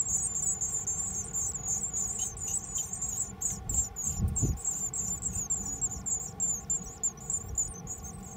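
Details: Lively Japanese tit nestlings in a mailbox nest, recorded 13 May 2020, keep up a constant high-pitched, jittery twittering throughout, with a soft thud midway and a steady low hum beneath.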